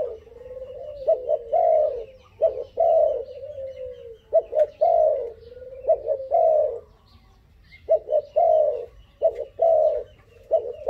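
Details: Young dove, five months old, cooing boldly. Low mellow coos come in phrases: short clipped notes, then a longer drawn-out coo that slides down, repeated several times with brief pauses.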